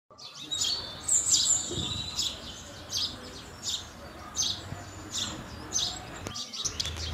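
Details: House sparrows near buildings giving short bright chirps, repeated roughly every half second to second, with a brief thin high whistle early on and a faint low rumble beneath.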